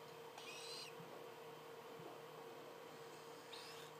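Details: Two young captive Tropical (Spix's) screech owls, aged 26 and 21 days, give two brief, raspy, hissing calls about three seconds apart over a steady low electrical hum indoors.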